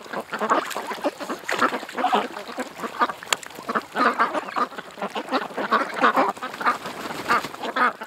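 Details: Ducks at a creek call in a thick chorus of raspy quacks, a sharp click near the middle, the calling swelling again in the second half.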